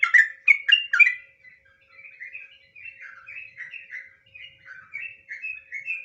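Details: Sooty-headed bulbul, known locally as trucukan, singing a long song for luring: three loud chattering bursts open, followed by a softer run of short warbled whistles, some rising and some falling, in an otherwise quiet setting.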